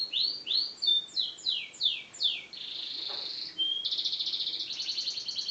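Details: Yellow canary in full song, opening with a run of clear down-slurred whistles, then a sustained high buzzy note, ending in a fast rattling trill.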